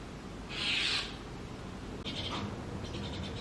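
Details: Brahminy starling chicks in a nest box that was first put up for sparrows, being fed insects by their parents: one harsh, hissing rasp lasting about half a second, then fainter, shorter rasps over a steady background hum.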